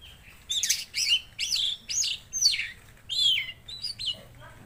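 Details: Tledekan Laut singing vigorously: repeated high chirps, each sweeping down then up, roughly one a second in an uneven rhythm, ending with a softer lower note.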